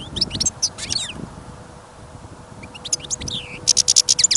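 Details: European goldfinch in a cage on a winter trapping outing in snow and wind: bursts of high twittering and a downward-sliding whistle, ending in a quick buzzy trill, over steady wind noise.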